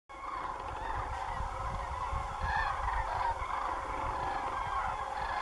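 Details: Large flock of common cranes flying over farmland beside Doñana National Park at the end of the day, a dense clamour of overlapping trumpeting calls forming a continuous chorus with low rumbling background.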